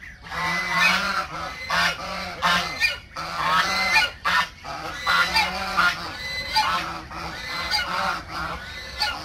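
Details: Geese kept in a backyard calling together: loud rough honks in repeated bursts over nine seconds, overlapping voices with brief pauses between outbursts.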